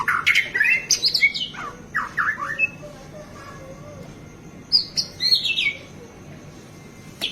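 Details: White-rumped shama delivering varied song phrases as training material for caged birds: quick whistled and slurred notes in a burst, a quiet gap, then another whistled phrase.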